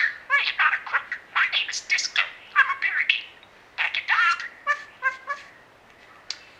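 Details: Pet budgerigar kept indoors, known to mimic a cat's meow, a dog's woof, snoring, squawks and singing; dense scratchy warbling and clicks, followed later by a few short, evenly spaced harmonic notes and fading chatter.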